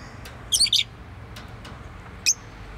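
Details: High chirps from a pet bird: a quick double burst of squeaky notes, then a single sharp chirp near the end, separated by quiet stretches with a few faint clicks.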